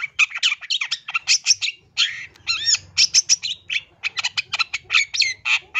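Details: Long-tailed shrike from East Java singing a rich song packed with imitated phrases, used to tutor and lure other shrikes into singing: rapid varied chirps, trills and squeaky whistled notes in dense bursts, with no pauses.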